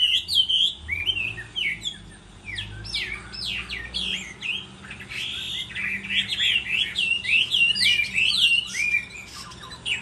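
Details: Chinese hwamei in a singing contest during moult: bright whistled notes and fast warbling phrases in bursts, dipping briefly mid-clip then resuming strongly, over a faint low hum.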